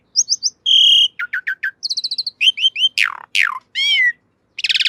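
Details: Javan pied starling master song for training cage birds: clean, rapid mix of high whistled notes, triple chirps, a steady held tone, descending slurred whistles and buzzy bursts, with no background noise.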